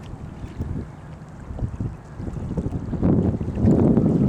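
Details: Gusty wind buffeting the microphone, with low rumbling bursts growing louder toward the end and no animal calls.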